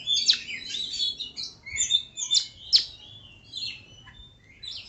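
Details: Tame oriental magpie-robin in busy, varied song: sharp clicking accents mixed with whistled and scratchy notes, dense at first then sparser, over steady low background hum.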